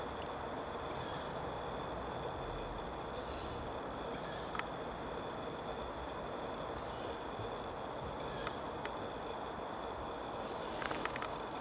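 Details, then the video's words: Two young Tawny Owls at Reservoir Wood, Wanstead Park, just after 10pm, giving high, wheezy, hissing notes, short and repeated every one to two seconds, over a steady low roar of distant traffic. "Two young Tawny Owls"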